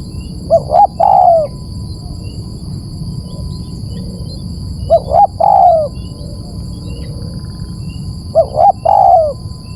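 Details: Low cooing phrase of a dove, played as a lure to draw birds in, repeated three times about every four seconds; each has two quick coos then a drawn-out descending note, with a thin constant electronic tone behind.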